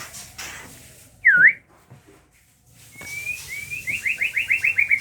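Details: Captive-bred White-rumped Shama of the Aceh type, housed where its young are starting to fly. One swooping V-shaped whistle, a quiet gap, then a fast rhythmic trill of repeated looping notes that grows steadily louder.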